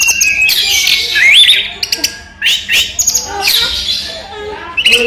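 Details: Orange-headed thrush, a collection bird singing by day. Rising whistled slurs alternate with harsh, buzzy high bursts in uneven phrases, separated by short pauses.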